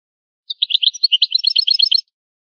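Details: Old-style European goldfinch song from a rare tape of the original goldfinch language: a quick one-and-a-half-second burst of jumbled, bright chirps and high tinkling notes. Background is clean and silent.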